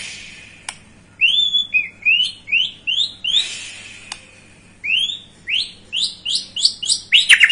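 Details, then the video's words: Lure song of a White-rumped shama for getting a young bird excited: a series of clear rising whistled notes repeated about every third of a second, pausing, then resuming faster. "Pancingan Murai batu paud agar emosi"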